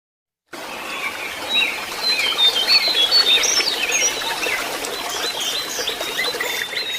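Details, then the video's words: Jongkangan song, used as therapy to get a bird that has stopped singing to whistle (nyuling) and twitter (ngriwik): high, thin whistled notes and quick chirps rising and falling in a busy stream, starting after a brief silence, over a steady hiss. "Terapi burung jongkangan yang macet bunyi atau jongkangan bahan supaya lekas nyuling dan ngriwik"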